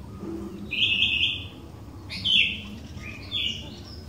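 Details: Sooty-headed bulbul as a song lure for other bulbuls: three bright chirpy warbled phrases spaced about a second apart, the first longest, over steady low background noise.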